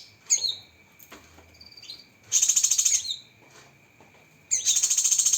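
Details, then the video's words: Masteran of the Cucak kinoi packed with sharp 'tembakan' fill-in phrases: sharp descending chirps and a brief whistle, then two bursts of fast rattling, high-pitched pulsed trill, with a faint constant tone behind. "Masteran Burung Cucak Kinoi Full Isian Tembakan Pedas"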